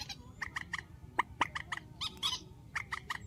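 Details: Grey-headed swamphen (trích) with a strong call of the trích ghép kind: dense, harsh cackling notes in quick succession, a few louder, grating accents midway, over a low murmur.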